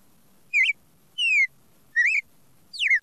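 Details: Red-crested cardinal in classic song: four clear whistled notes about every 0.7 seconds, alternating rising-and-falling slurs with a long descending whistle, in otherwise quiet surroundings.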